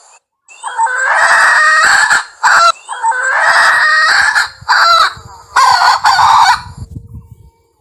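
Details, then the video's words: Wild red junglefowl hen calling well enough to attract others: a series of long, harsh, grating cackles alternating with short sharp notes, ending in a faint low rumble. "Suab poj qaib qus Seev Zoo thiab dib tuaj Zoo heev li,ສຽງແມ່ໄກ່ປ່າ ຮ້ອງດີຕໍ່ມາດີ"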